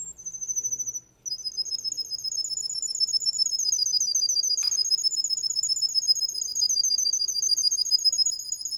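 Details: Male Russian canary in full song, a sustained very high, fast rolling trill with slight wavering in pitch after a short opening whistle.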